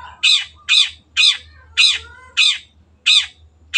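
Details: Long-tailed shrike (cendet) in a clear tutor recording, giving harsh crow-like rasping squawks, evenly spaced about every half second, in a quiet room.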